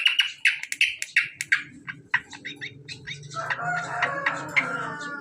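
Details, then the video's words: Greater Green Leafbird, hand-reared, in a master song recording: a fast series of sharp repeated chip notes, about three per second, then a denser warbling passage over a low steady hum. "Suara burung cucak kombo"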